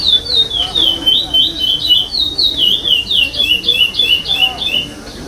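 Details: Competition chestnut-bellied seed finch, fifth place at a 2021 state stage, giving pardo-style song without repetition: a fast, unbroken run of bright whistled phrases, each swooping down then up, about three per second, with faint voices beneath.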